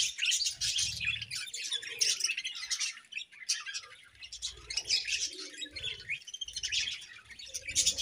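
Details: Cheerful budgerigar chatter: overlapping high, raspy chirps and warbles run almost without pause, with short quieter dips and occasional faint low rumbles or wing flutters below.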